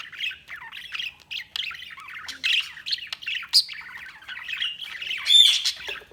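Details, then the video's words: Steady budgie chatter: a stream of rapid scratchy twitters, clicks and small squeaks, with a thin, clear whistled note near the end. "Budgies Chirping sound"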